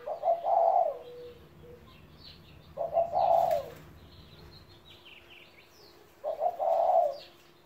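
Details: Three husky coo phrases from an old spotted dove, aged 17, each a brief lead note running into a drawn-out throaty coo; scattered high chirps and twitters from other birds behind.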